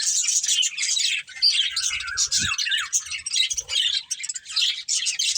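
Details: Family of pet budgies chattering in high, busy twitters, with a few lower falling squeaky notes in the middle and a faint low thump.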